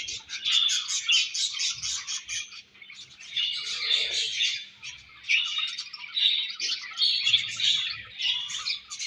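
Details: Several budgerigars feeding and passing food between them, giving a steady stream of high warbling chirps and squeaky chatter in overlapping bursts, with brief quieter gaps.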